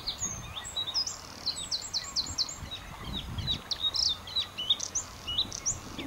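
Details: Bluethroat singing on Texel, the Netherlands: a quick, varied run of high chirps, ticks and sharp whistled notes, the phrases tumbling over one another, with faint background hiss.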